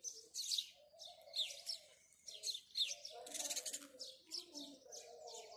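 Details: Morning chirping of house sparrows: rapid, sharp chirps repeated in quick clusters, some overlapping as a busy chatter, while a soft, low cooing hum runs underneath throughout.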